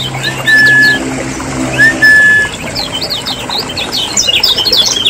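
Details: Lemon-bellied white-eyes from Lombok, a noisy lure recording played to get caged birds singing: dense bursts of short high chirps and squeaky notes, with a few long steady whistled tones and a low background hum.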